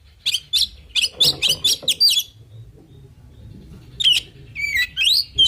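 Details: Oriental magpie-robin, 'full isian' song to provoke replies. A quick string of bright chirps is followed by a pause, then whistles and sweeping upslurred notes.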